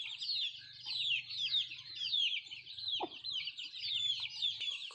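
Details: Nattu kozhi, native country chickens, eating: rapid, high-pitched chirps and peeps pour out almost without pause, over a faint low hum, with one short, lower cluck near the middle.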